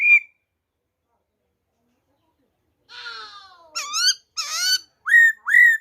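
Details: Black-throated laughingthrush giving wild-type song on 26 December 2020: a brief whistle, a long pause, then a rasping descending phrase followed by loud ringing upslurred whistles in quick succession.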